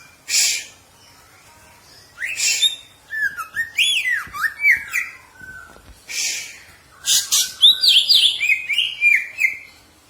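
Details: Green leafbird, caged, song for training: scattered harsh bursts then chains of slurred whistled notes rising and falling, ending in a fast run of high chirps.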